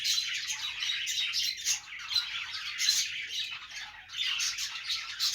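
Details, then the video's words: Cheerful budgie noise: a continuous jumble of raspy warbles and bright chirps, swelling into louder squawky bursts and easing off briefly before resuming. "Budgie Noises to make them Dance"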